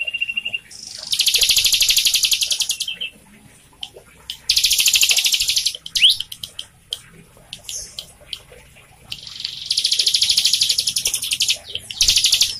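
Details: Bar-winged Prinia song, used to prompt a captive bird to sing: three long bursts of rapid, high, buzzy repeated notes, separated by pauses filled with scattered chips and a brief rising whistle.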